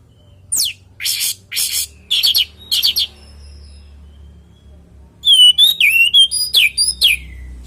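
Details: Orange-headed thrush song for luring other birds to answer: several harsh, scratchy chattering notes, a pause, then a run of clear slurred whistles dropping in pitch with high chips.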